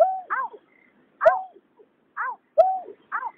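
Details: Male and female white-breasted waterhens, tied to night bird trapping, trade loud nasal croaks. A flat, bent note is answered by a higher downslurred note, in pairs spaced about a second apart, in silence.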